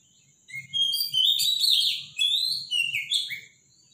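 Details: Loud morning song of a robin: two rapid, bright, twittering phrases mixing high whistles and quick trills, the second ending in a short rising note, over faint low rumble.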